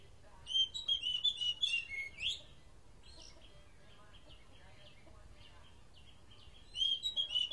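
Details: Oriental magpie-robin giving a song described as strange: a rapid chain of high repeated whistles and twitters for about two seconds, then a long quiet gap before another quick burst, over faint background noise.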